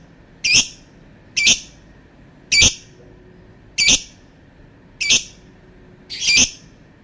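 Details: Lovebird calling with sharp, shrill, high-pitched squawks, six short notes spaced at roughly one-second intervals over quiet background.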